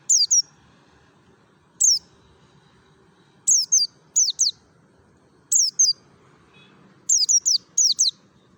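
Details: Mountain white-eye from Merapi in the ngalas style, a lure for other white-eyes: repeated bursts of one to three high, slurred, falling whistles every one to two seconds over a faint, steady low background.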